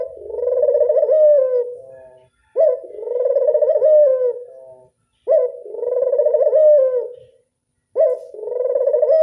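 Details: Steady series of four rolling coos from a local Barbary dove (burung puter), classic voice, each about two seconds long, pulsed and slightly descending, repeated roughly every two and a half seconds with short silences between.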